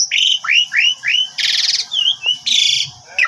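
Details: Javan pied starling lure recording of lively song full of fill-in phrases, meant to make a sulking bird reply; rising slurred whistles repeated in quick succession, then dense buzzy harsh bursts and a wavering whistle.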